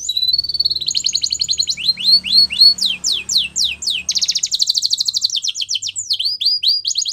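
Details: Singing male canary delivering a loud, varied high-pitched song of swept whistles, chattering notes and long rapid trills, phrases changing every second or two with hardly any pause.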